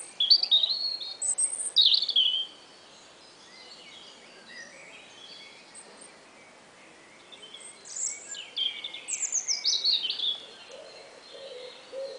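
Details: Spring morning song attributed to a robin: a loud burst of chirped, warbled notes, a quiet gap, then another lively series of descending whistled syllables, with faint lower sounds toward the end.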